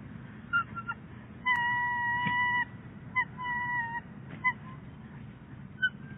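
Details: Bald eagle pair at their nest at Big Bear Lake on 22 January 2018, the male making several deliveries of fluff. Short clipped notes, then a drawn-out even whine of about a second, then more brief notes and a shorter whine, over low steady background rumble.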